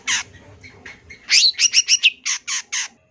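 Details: Long-tailed shrike tutor song from a champion bird: a harsh note, soft mutters, then a quick run of bright whistled chirps followed by three rasping buzzy calls.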